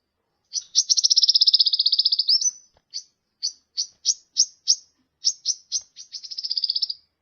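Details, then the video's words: Sunbird song from a training recording for cage birds: high buzzy trills, a long run of fast rattling notes, then short separate chirps and a closing trill, all sharp and thin. "masteran burung gacoan, Kolibri"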